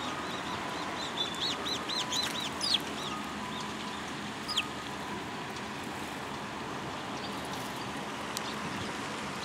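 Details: Sparrows at a Tenmangū shrine on 15 March 2022: a quick series of clear, arched, high chirps near the start, then scattered single notes, over a steady background roar.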